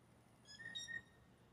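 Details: Blue jay mating call amid rivals courting one female; one brief, pure whistle with bright overtones, broken into two short parts, lasting about half a second over faint background noise.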